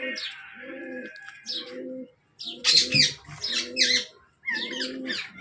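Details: Baby Alexandrine parakeet kept as a pet, giving harsh, raspy squawking bursts high in pitch, in short clusters about a second apart, over a steady, low, pulsing cooing sound repeated in the background.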